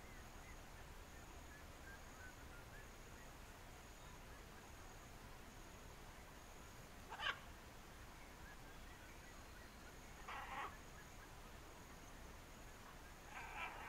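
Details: Blue-and-yellow macaw (Ara ararauna), among macaws that love playing together, gives three brief harsh raspy squawks a few seconds apart over a steady background hiss.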